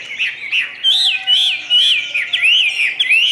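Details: Ngũ trường song of a caged Chinese hwamei: clear, loud whistled notes rising and falling in wavy phrases, delivered about three times a second, with a faint steady tone underneath.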